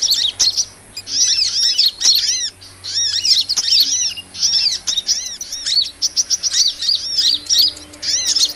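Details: Lure recording for catching small birds: a hummingbird gives rapid runs of high, arched chirps in clusters, with short sharp clicks between bursts and a low steady hum behind.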